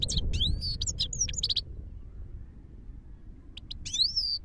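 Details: Himalayan goldfinch singing in Parachinar: bursts of high twittering notes and rising slurred whistles, a pause of about two seconds, then another short phrase, over low background rumble.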